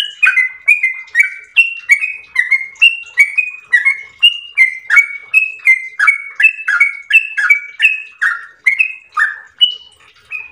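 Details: Yellow-vented bulbul (trucukan) in an unbroken ropel panjang song: a run of about thirty short, clear, warbling whistles, each dipping or stepping, delivered at a steady quick pace over a quiet background.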